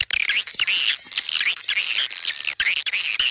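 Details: Swiftlets twittering to lure others: continuous high, shrill, wavering trills with hardly a pause, over a faint steady hiss.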